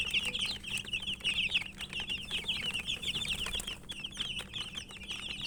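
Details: Chicken chicks peeping while eating, a continuous overlapping run of rapid high cheeps, each short and falling in pitch, over light pecking clicks and a low background hum.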